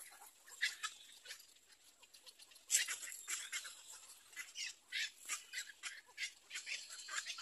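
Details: Little egret young in nest three: a sudden loud squawk, then a string of rhythmic, raspy pulsed calls roughly every half second, over soft background hiss.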